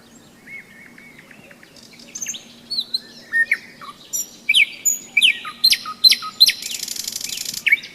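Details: Springtime nightingale on the Seversky Donets, recorded at a rest stop on a May hike: soft whistles build into loud, swooping phrases and a buzzy rattling trill at the close; faint frog croaking hums below.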